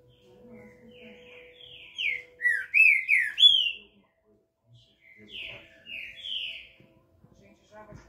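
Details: A captive Green-winged saltator sings a smooth "canto liso" song of rich, slurred whistled phrases that drop and rise, in two bursts a couple of seconds apart, over a faint low hum.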